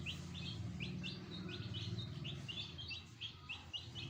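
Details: Fresh chicken chicks kept as pets with a hen give a regular train of short high peeps, about three a second, each note rising then falling, over a steady low humming drone.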